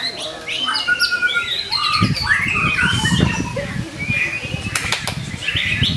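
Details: White-rumped shama song used to spur rival shamas: clear downslurred whistles and short warbled phrases, interrupted by loud sharp clicks and rustling knocks in the background.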